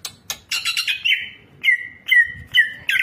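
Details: Greater green leafbird (cucak ijo), described as a champion songbird, singing a varied training song: a burst of chattery notes, then clear level whistles repeated roughly every half second, ending in a buzzy flourish.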